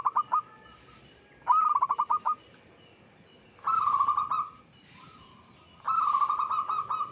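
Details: Local zebra dove song, used as a lure to stimulate other doves to sing. Four cooing phrases near one pitch, each a held note breaking into quick rhythmic pulses, with short gaps between them over a faint background hiss.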